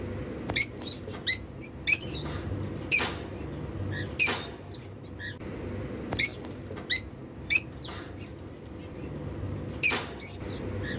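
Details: Free-flying African lovebirds with unclipped wings making happy sounds: sharp, piercing single chirps spaced a second or two apart over a quiet room hum.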